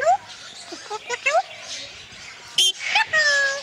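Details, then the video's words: Captive male Red-sided Eclectus parrot making rising, tonal, voice-like sounds in short bursts while its owner tickles it and repeats "tickle tickle". Clipped talking and a drawn-out tonal note are mixed with human speech. "Eclectus Parrot Talking"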